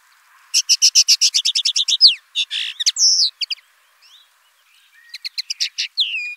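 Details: Common linnet song opens with a rapid, even series of bright repeated chirps, then buzzy slurred notes, a pause, and a fresh twittering burst.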